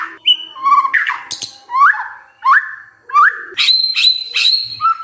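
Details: White-rumped shama song played to prompt other birds to sing: varied phrases of quick rising slurred whistles mixed with harsh chattering notes, ending in a run of bright high whistles.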